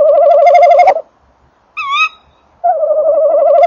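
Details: Male tawny owl at a nest box on 28 December 2013 at 19:48, microphone close by, while the female calls farther off: loud wavering trills around a second long, broken by a brief, fainter, higher quavering call.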